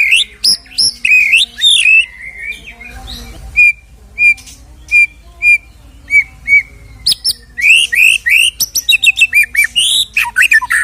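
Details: Lure recording of a White-rumped shama singing, meant to stir another shama to sing: clear repeated whistled notes near the same pitch spaced about half a second apart, framed by fast buzzy, twittering phrases at the start and end.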